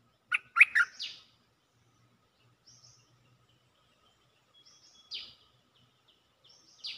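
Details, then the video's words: Cream-vented bulbul calling for a mate: a quick burst of three bubbly, warbled notes in the first second. Fainter, higher short phrases follow at about five and seven seconds, with quiet gaps between. "เสียงนกดอกแตงEp.155 สับไม่หยุด!! เสียงเรียกคู่ เพลงดี ร้องวน Suara pikat merbah lekir gacor"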